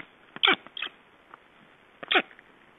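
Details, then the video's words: Estonian black storks playing, recorded 22 July 2012; short harsh rasping bursts, one pair close together then a single louder burst about a second and a half later, over a quiet background hiss. "Estonian Black Storks - Playing"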